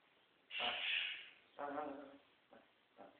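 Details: Tango, a pet scarlet macaw, gives a harsh, raspy squawk, then a shorter, more tonal vocal sound and two brief soft noises while playing during his special time; a person's voice may be mixed in.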